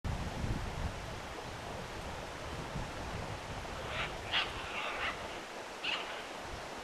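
Scarlet macaws give three or four brief, harsh, raspy squawks late in the clip, heard over steady roaring wind or surf.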